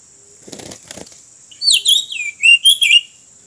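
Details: Oriental magpie-robin near a road where birds are being trapped: a few soft rustling flutters, then a quick run of five or six loud, sweet whistled notes that swoop and warble.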